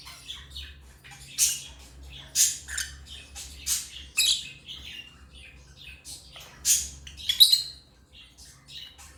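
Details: African lovebirds chirping and squawking: a steady run of sharp, shrill high chirps, roughly one burst per second, some grating and some thinner, over a quiet low background hum.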